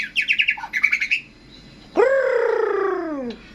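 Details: Caged white-rumped shama, Indonesia, prepared for song competitions: a quick run of scratchy chirps, a pause, then a long harsh rising-and-falling squawk-like note.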